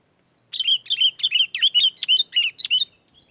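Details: Sooty-headed bulbul singing loudly, a lure meant to make wild bulbuls answer: a rapid string of about twelve bright, bubbly whistled notes around the same pitch, each with a quick upward flick, delivered in under three seconds.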